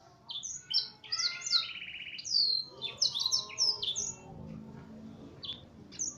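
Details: F1 canary with a full repertoire learned from a blackthroat tutor, delivering rapid high-pitched whistles, a buzzy rattling trill and sharp chirps in a lively, varied sequence.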